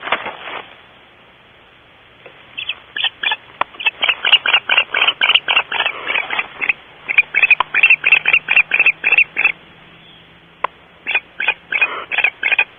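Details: Barn owls at the Starr Ranch nest at 5:45 am on 8/5/13: after two quiet seconds, raspy chittering notes start and build into a fast, uneven run of repeated bursts, with a brief lull near ten seconds before resuming.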